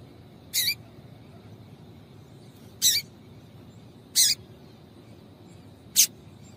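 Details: Calls of a female double-collared seedeater, meant to get a male singing: four clipped, rasping chip notes, separated by gaps of about one to two seconds, with low constant hiss behind.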